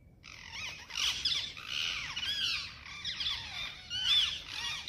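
A parrot gives a run of harsh, squawking calls mixed with squeaky, rising and falling notes, almost without pause.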